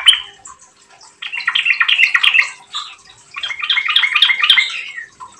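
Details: A lure recording of a Yellow-vented bulbul in full gacor voice: a short opening note, then two long runs of bright, bubbly chattering phrases.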